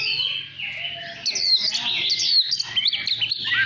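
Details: A decoy Oriental magpie-robin sings to get other birds singing: drawn-out sliding whistles that break into quicker, brighter phrases, with a constant low hum underneath.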